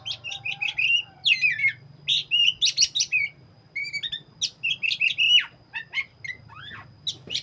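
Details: Black-breasted oriental magpie-robin singing energetically: a fast, varied run of bright chirps, whistles and sharp trills with short pauses, over a steady low hum.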